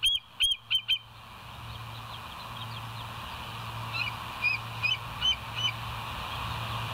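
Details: Bald eagle calling at the West End nest on a live cam, 26 September 2023 at 07:01: four loud, high piping notes, then a softer, more distant run of similar notes over a low hum.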